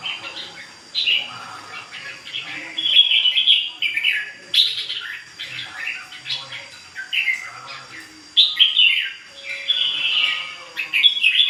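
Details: A long, continuous performance by a ché bird: varied warbled phrases mixing clear whistles, downslurred notes and chattery twitters, delivered in waves about every second with short quiet gaps between.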